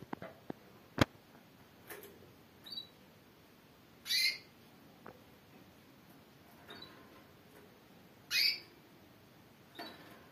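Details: Calling female canary of the Timbrado breed gives two clear, brief descending notes about four seconds apart, among scattered soft clicks and faint chirps.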